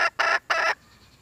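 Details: Red junglefowl giving three loud, harsh, raspy notes in quick succession. Each lasts about a quarter second, with a short gap between them. Near silence follows.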